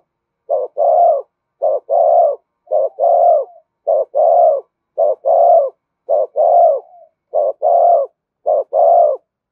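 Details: Spotted dove delivering the urging coo meant to stimulate decoys and train lure birds: eight regular phrases of a clipped note plus a longer mellow coo, spaced just over a second apart, in clean silence.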